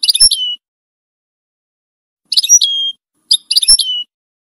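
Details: European goldfinch giving three short bursts of high tinkling twitter, each ending in a level drawn-out whistle, spaced by pauses of one to two seconds; clean, quiet background.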